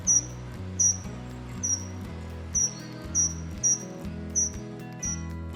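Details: A common kingfisher gives eight shrill, thin, high-pitched whistles, each brief and roughly three-quarters of a second apart, over steady background music.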